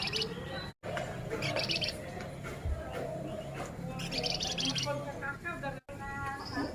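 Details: Singing male flamboyan, rattling off quick 'nyerecet' style trills in several separate bursts of fast, buzzy, closely packed notes, interspersed with brief whistles over a constant low background hum.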